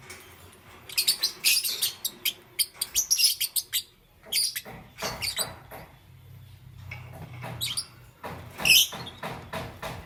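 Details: Lovebird in green, yellow or lutino plumage chirping in the morning, a busy chatter of rapid, harsh high-pitched notes in bursts, pausing briefly before a loud shrill cluster near the end.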